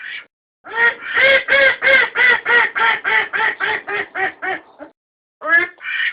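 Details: Domestic duck recorded for use as a decoy: a loud run of about a dozen harsh, nasal quacks, quick and evenly spaced, fading slightly toward the end, then a brief pause before more quacks resume.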